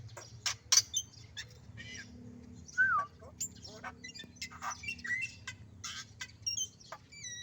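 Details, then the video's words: Mixed bird chorus recorded around Yosowilangun, Lumajang: many short chirps, sharp high notes and brief whistled slurs from several birds overlap at irregular intervals, with faint low background hum throughout. "Suara Burung Merdu & Unik"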